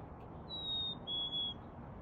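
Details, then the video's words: Black-capped Chickadee in a back yard in NW Calgary, Alberta, at 6 pm on 28 February 2021, gives two clear whistled notes, the second a step lower, the familiar 'fee-bee', over a soft low hum. "Black capped Chickadee"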